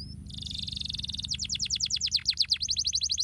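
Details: Canary song meant to stimulate lazy canaries to sing: a high buzzy trill opens, then breaks into a rapid series of steep descending whistled notes, quickening and then slowing, with a faint low hum beneath.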